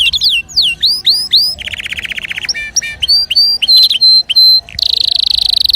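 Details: Canary song meant to stimulate other birds to sing: swooping whistled notes, a rapid rattling trill, clear repeated whistles and a final dense buzzy roll.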